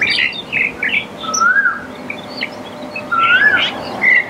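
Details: Black-collared starling giving loud, scratchy chatter mixed with squeaky notes and two smooth whistled slurs that rise and fall, with a brief high buzzy note at the end.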